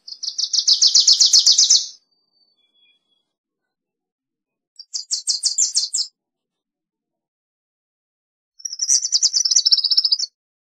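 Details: Wilson's warbler song: three bursts of rapid chattering notes, the first about two seconds of fast repeated chips, later ones shorter, the last dropping slightly in pitch toward its end; quiet gaps between phrases.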